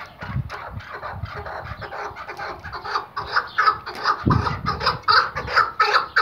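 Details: Iraqi white hunting Chukar partridge, tethered, calls with uneven clucks that grow into louder, clearer chuck notes; low bumps and knocks are heard in the background.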